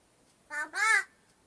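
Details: Pet talking crow uttering a two-part, voice-like sound: a short nasal note followed at once by a longer, louder, harmonic-rich syllable, like a word, in a quiet room.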